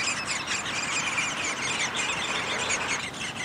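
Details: Downy woodpeckers at their nest during feeding, May 20, 2021; a steady, dense, buzzy high-pitched chatter runs without a break through the whole stretch, with no other clear sounds.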